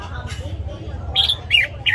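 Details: Red-whiskered bulbul, caged bird in morning voice training, gives two or three quick, bright whistled notes near the end after a quiet stretch of low hum.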